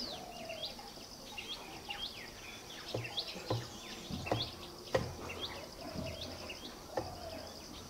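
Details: White-rumped munias in Rudraprayag, Uttarakhand, India, give a steady stream of short, thin, high chirps and twitters, several birds overlapping, with occasional dull knocks and a soft outdoor hiss.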